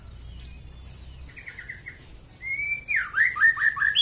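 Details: White-rumped shama in morning song near Prambanan, Central Java. Quiet short whistles lead into a long, clear, level whistle, followed by a loud run of swooping notes that rise and fall.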